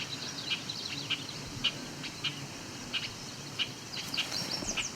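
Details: An annoyed male Bobolink, perched up a tree at a field edge near Cape Chin North, Ontario, on 17 July 2019, gives sharp, deep metallic single notes about every half second. Another calls distantly over a low outdoor hum.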